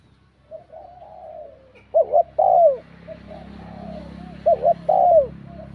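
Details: Spotted dove giving bell-voice urging coos to provoke rival males, two clear phrases about 2.5 seconds apart, each a quick wavering double note and a long falling coo, softer coos between, over steady background hiss.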